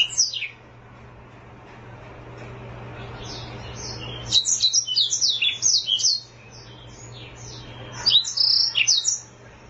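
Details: A black-throated canary (Serinus atrogularis), an African bird, sings rapid runs of high, twittering and trilled notes in long bursts varying in pitch, with a steady low hum underneath.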